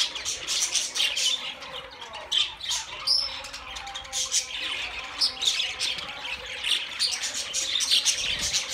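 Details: Budgies chatter in a busy flock sound, with harsh squawks and a few sharp rising whistles standing out above constant high twittering.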